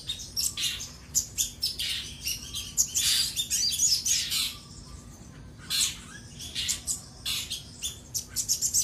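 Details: Common iora (sogon) in energetic song, calling for an opponent: rapid loud chirps and squeaky scratchy bursts, a jumbled busy stretch, a brief lull, then renewed quick chattering phrases; low constant hum underneath.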